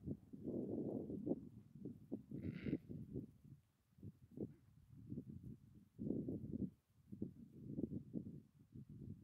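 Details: Adélie penguins on the sea ice at Cape Hallett give harsh, low, throaty braying calls in rapid stuttering bursts, several birds overlapping, with a brief higher hiss early on.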